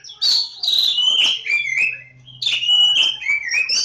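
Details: Kacer Jawa (Oriental magpie-robin) song: bright, fluty whistles sliding downward, mixed with quick chirpy notes, delivered in two loud bursts separated by a brief quieter gap.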